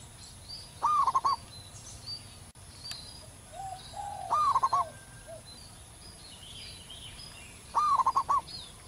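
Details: A local zebra dove sings prolifically in the wild, repeating its rising-then-rippling coo phrase three times, roughly every three and a half seconds. Softer low coos and faint high birdsong fill the gaps.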